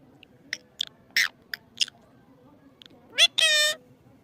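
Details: Talking parrot uttering a string of short, scattered, clicky syllables, then a quick rising note and a sustained harmonic cry near the end.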